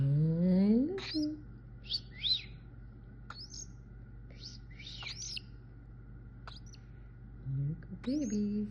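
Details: A baby cockatiel finding its voice and growing more vocal, giving short, high, scratchy chirps about one per second between a woman's soft talk.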